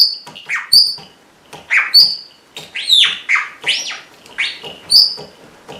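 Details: Red-rumped parrot mimicking the neighbour's small barking dog, alternating sharp, falling bark-like yelps with clear high whistles and rising-then-falling squeaky notes at an uneven pace.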